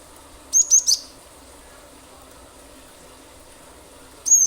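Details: Cinereous tit in 'gacor' form, used as a lure for other songbirds; three sharp, high chirps, a long silent pause, then one more high note at the end.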